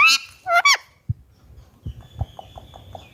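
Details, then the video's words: Indian ringneck parakeet kept as a pet gives two or three loud, harsh squawks at the start, then soft low taps and a faint thin tone fill the rest. "Ringneck parrot natural voice"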